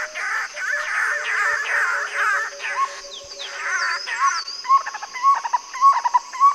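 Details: Black-collared barbet in Kruger National Park, South Africa: mid-pitched chattering notes, then a quick rhythmic run of repeated paired phrases, over a high steady insect drone and other bird calls.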